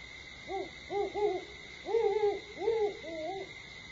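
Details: A great horned owl gives a rhythmic series of six soft, muffled hoots in about three seconds, over a steady high-pitched hum, recorded at Starr Ranch at 4:30 AM on 21 September 2011.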